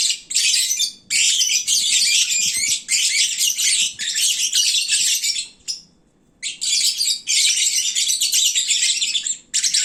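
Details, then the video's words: Sleepy, well-fed lovebirds at midday making a racket likened to a bird market: long stretches of shrill, overlapping chirps and squeaks, with a clear pause near the middle. "Kicauan Lovebird saat mengantuk. Duuh berisiknya !!!"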